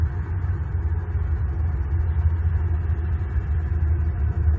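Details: Deep, steady low rumble like an idling engine or wind on the microphone at an evening bald eagle nest camera in Southwest Florida, with no calls.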